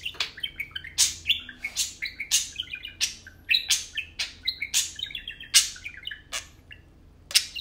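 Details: Pair of tame parakeets (budgies) chattering while playing at home, a steady stream of scratchy clicks and stepped, whistled chirps repeated roughly every half second.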